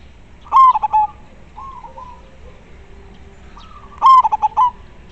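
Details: Local zebra dove, described as a clear and constant singer, cooing: two bursts of a short rising note followed by a quick stuttering series of low rolling coos, a softer coo between.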